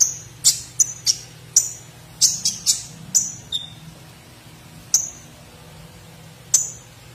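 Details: Tutor song of a gacor olive-backed sunbird (kolibri ninja) with platuk sampit phrases: bursts of sharp, very high chirps in quick clusters, thinning to lone piercing notes after long pauses, with a soft low rumble beneath.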